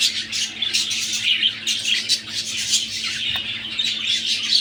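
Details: Caged budgerigar breeding pair, classic and cinnamon, near egg-laying time, keeping up a continuous dense warbling chatter of scratchy chirps and squawks with no pauses, loud and close.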